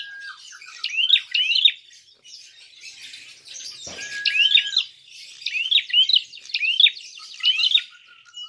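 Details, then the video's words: Prinia fighting call used as a lure to provoke other birds: short, sharp, chirpy notes in quick clusters of two or three, repeated in bursts every second or two, over a faint steady tone and one low thud. "Prenjak tarung gacor"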